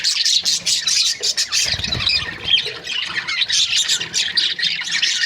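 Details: Budgies in breeding pairs squawk and chirp over one another in a steady high babble, with a soft low bump around the second second.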